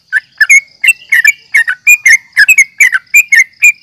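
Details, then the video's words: Yellow-vented bulbul calling in fight mode: short, liquid chirps, some doubled, sounding in irregular quick bursts, backed by a faint, level high-pitched tone. "trucukan gacor NGGARUDA UPLIK TARUNG"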